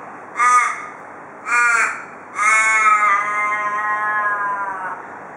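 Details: Male Australian raven at a house porch in Perth, Western Australia, voicing the local "cock a doodle doo" call: two short, hoarse caws followed by a long, drawn-out wailing note that slowly fades and falls over more than two seconds.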